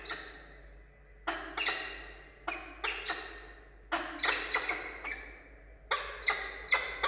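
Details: Pair of wild peregrine falcons in Orange, Australia, 2 August 2022, meeting during a prey gift to the female: rapid harsh chattering notes, each falling sharply, bunched in quick runs with brief pauses.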